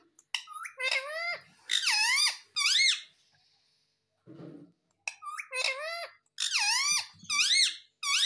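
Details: Rapid, repeated shrill squawks from a pet talking parrot, more than once a second, each with a bent, rising-falling pitch, briefly interrupted by a soft low rustle midway.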